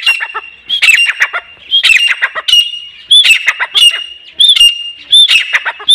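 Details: Grey francolin calling, a local desi bird: loud, ringing, harsh notes in quick bursts, with a steady high whistle-like tone running underneath and repeating roughly every second across the clip.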